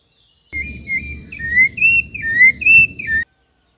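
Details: Rufous-bellied thrush singing in its natural habitat in Brazil: a short phrase of flowing whistled notes, sliding and warbling around 2 to 3k over about three seconds, with faint low background noise.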